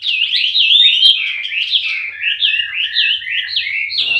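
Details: Male Wambi bird singing a loud, continuous run of whistled, warbling phrases, each a quick rising-and-falling slur, repeated without pause in a steady chain.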